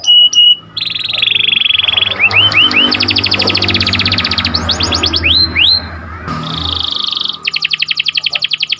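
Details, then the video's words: Atlantic canary song used to train canaries and stimulate breeding birds: a sharp rolling sequence of fast chirps, upward-sweeping whistles and long trills, with a steady background hum throughout. "KICAU BURUNG KENARI || KENARI CUIT CUIT NGEROL TAJAM"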